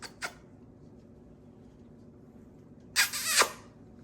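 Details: A flock of captive macaws enjoying a change of scene in a kitchen: two brief rasping chirps, a quiet gap, then a loud grating squawk of about half a second falling at the end.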